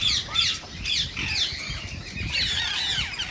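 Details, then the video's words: Rose-ringed parakeet, played to stimulate other parakeets to sing and mate; harsh overlapping squawks and chattering notes, high and scratchy, several birds calling at once with a few rising whistled strokes. "صوت ببغاء الدرة الخضراء"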